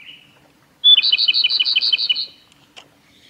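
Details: Male Japanese robin singing at Yanagisawa Pass, Japan, on 25 April 2021: a sharp high opening note, then a rapid, even rattle of about ten ringing doubled notes lasting just over a second.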